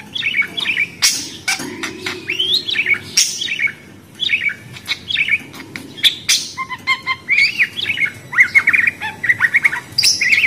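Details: Budgerigars keep up a steady, busy chatter of scratchy warbles, squeaky whistles and sharp clicks, becoming denser and more rapid toward the end.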